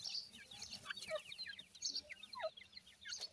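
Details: Grey francolin chicks with their mother: a steady stream of thin, high, downslurred peeps, rapid and overlapping, with a few lower single notes between them.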